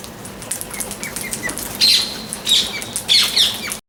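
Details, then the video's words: Parrot chirping: soft, short repeated notes early on, then three loud, harsh, high-pitched chirp bursts spaced roughly half a second apart, set against steady rustling and faint clicks. "Chirping Sound of Parrot"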